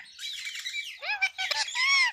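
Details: Talking Indian ringneck parakeet producing high, nasal, speech-like phrases with stacked harmonic tones, falling then rising, in several short bursts over two seconds.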